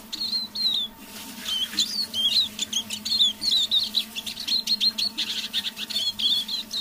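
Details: A hand-raised pet Eurasian siskin sings softly in the evening, a fast, continuous twittering song mixed with thin wheezy notes.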